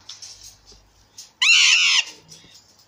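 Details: Pair of recessive pied Alexandrine parakeets: a single grating, broadband screech of about half a second, preceded and followed by faint softer chatter in the background.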